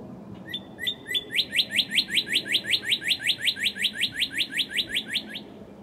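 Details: Early morning close-up of a northern cardinal song from March 2011: three slurred whistles lead into a long rapid run of about twenty-five repeated sharp chip-like notes, with low rumbling background.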